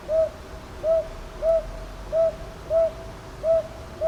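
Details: Seven evenly paced, clear hoots from a northern boobook in Ichijoji, Sakyo Ward, Kyoto, Japan, 22 May 2023, grouped loosely in pairs roughly every half second to second; captured with a TASCAM DR-100MKIII against still night ambience.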